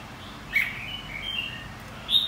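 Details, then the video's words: White-cheeked red-whiskered bulbul singing in contest training: one bright slurred note, a thin trailing whistle, then another sharp chirped phrase at the end. "Kích chào mào hót đấu.. Kích má trắng hót.. Luyện má trắng hót đấu"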